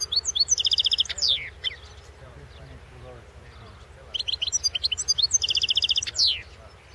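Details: At a 2016 world championship for goldfinch song, a European goldfinch delivers two fast phrases of sharp twitters ending in buzzy, descending trills, separated by a quiet stretch of low background hum.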